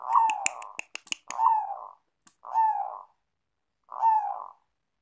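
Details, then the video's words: Zebra dove, a prized katuranggan songbird valued for its melodious kung voice, cooing: a soft rolling burst of low coos, then two separate drawn-out purring coos about two seconds apart, with a few sharp clicks near the start. "perkutut katuranggan klangenan bersuara merdu indah kung"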